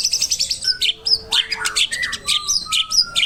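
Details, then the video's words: Training-master song of a white-rumped shama: fast, jumbled bursts of high chips and slurred notes packed closely together, broken by brief pure whistles and a buzzy lower phrase near the middle, sung continuously and loudly. "Masteran suara burung Paling Gacor murai batu"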